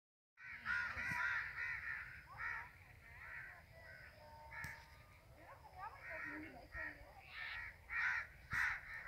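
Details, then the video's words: Several crows flying in the sky give harsh, hoarse caws in overlapping bursts, roughly two per second, with some lower croaks and faint background noise. "Crows flying in the sky ||crow birds|| Oringinal crows sounds"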